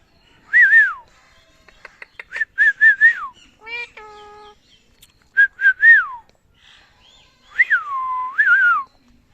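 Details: Talking Indian ringneck parakeet gives looping whistled syllables that rise then fall, rapid clicky notes, a flat multi-toned whistle held about a second, and longer drawn-out curved whistles, loud and close with near-silent background.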